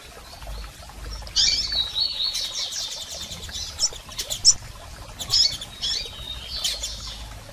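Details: Female and male double-collared seedeaters call to stimulate a male: drawn-out high twittering phrases and sharp chirps, separated by pauses, with clicking throughout.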